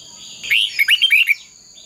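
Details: Red-whiskered bulbul singing competition-style fighting song, played to train and excite other birds: a short burst of five or six quick, bright whistled notes, with a steady high whine in the background.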